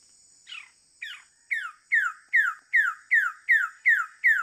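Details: Wilson's bird-of-paradise (Cicinnurus respublica) calling: about ten loud, down-slurred notes, quickening to roughly two per second, over a steady high insect hum.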